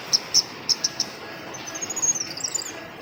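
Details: Female forest flowerpecker (cabai rimba) calls, used as a lure recording: several sharp, very high ticks in quick succession, then a thin, high twittering trill that rises and falls, over steady background hiss.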